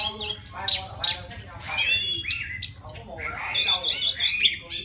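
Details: Oriental magpie-robin from forest stock singing to call a female, with sharp bright whistles, a few harsh raspy notes, then a flowing series of varied whistled phrases; steady low hum behind.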